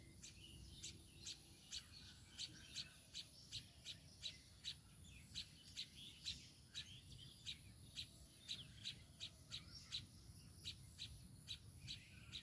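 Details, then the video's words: Baya weaver with its chicks: a continuous run of brief, piercing chip notes, evenly spaced about two per second, with occasional fainter twitters between them over a quiet low rumble. "babui pakhi are tar baccha"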